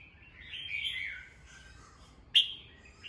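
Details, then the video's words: Red-whiskered bulbul in morning song used to train caged birds: a soft, wavering whistled phrase, then one loud sharp note and a short whistle. "Chào mào hót sáng, luyện giọng chào mào, kích bổi vào lửa"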